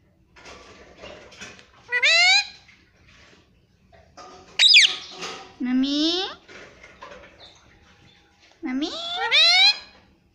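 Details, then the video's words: Pet parrot talking, repeating "mummy" in three spaced bursts, each a rich harmonic phrase with a steep upward or downward slide, separated by quiet background ticking. "pattu parrot talking mummy"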